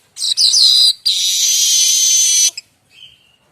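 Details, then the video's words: Streaked weaver (manyar kembang) song used as a tutor recording for magpie-robins and other songbirds: a high, dense, buzzy rush of notes in two bursts, the second a long sustained churring trill, then a short thin whistle. "Kicau manyar variasi mantab"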